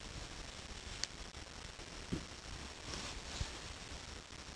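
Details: Quiet indoor hiss with a few soft clicks and bumps, and no animal calls.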